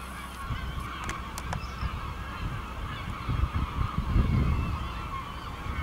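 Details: Gulls flying over the village at El Ortegal until nightfall, giving harmonic, wavering calls that overlap one another, over a constant heavy low rumble of wind or surf.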